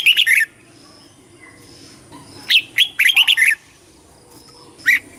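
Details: Competition song of a red-whiskered bulbul, sung to call the flock and train the voice, in short fast bursts of sharp, bright, descending notes broken by quiet pauses, ending on a lone chirp.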